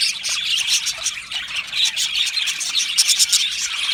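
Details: Aviary colony of Australian budgies in happy song, a busy tangle of high, rapid chirps and chattering warble notes that rise and fall in loudness without a break.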